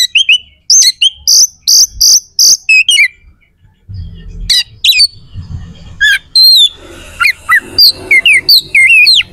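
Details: Oriental magpie-robin song meant to anger rival magpie-robins into fighting: bright repeated high squeaky notes, a pause with low rumble, then buzzy and curling whistled phrases resuming.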